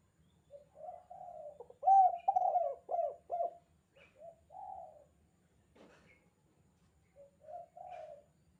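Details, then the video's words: Spotted dove (tekukur), 'kuk 2' calling style, used as a training recording for captive doves; a run of deep, throaty coos with quick stuttering notes, then softer drawn-out coos after pauses, about eight phrases. "suara panggilan tekukur kuk 2 gacor"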